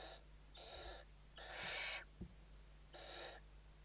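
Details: Barn owls at the nest in Spain, evening feeding on 29 November 2023, recorded inside the box: rasping hiss-like screeches in four bursts, one longer, over a steady low electrical hum and soft knocks.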